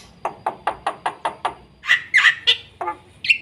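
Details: Black-winged myna in fast, full energetic song used to train and stimulate young mynas: seven evenly spaced harsh, knocking notes about every fifth of a second, then louder rasping squawks and a rising whistled note.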